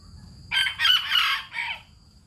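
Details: A bantam rooster from Hanoi, Vietnam, gives a single loud crow in three joined parts lasting about one and a half seconds, strongest in the middle, with a steady thin high whine and a low rumble behind it.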